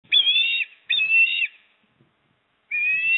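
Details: Osprey at the nest in Port Lincoln on 26 September 2024, as the father arrives with a fish and the mother eats then returns; three loud whistled calls, the first two long and slightly falling at the end, the third steady and clipped short.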